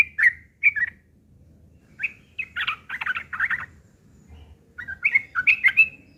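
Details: Sooty-headed bulbul delivering a coarse fighting song meant to lure rival birds into answering; phrases of slurred, bubbly chirps, then a dense harsh chattering burst, a pause, and a final run of ringing whistled notes.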